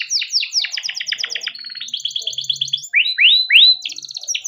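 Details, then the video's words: Male canary in captivity, kept as a training lure for young canaries, singing a long rolling song: rapid repeated buzzy trills, a steady high whistle, then loud rising slurred notes and more fast trills. "burung kenari gacor panjang efektif buat pancingan kenari paud || canary singing || kenari gacor"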